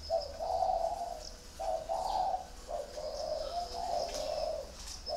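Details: Spotted doves kept on a rack of cages at a bird garden in Ba Vì, Hanoi, northern Vietnam: low, soft coos in drawn-out phrases, several overlapping, over faint background hiss and occasional high squeaks.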